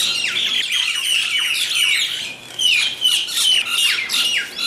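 Mynas squabble in harsh, grating squawks and chatters, overlapping in rapid bursts high in pitch with no pause.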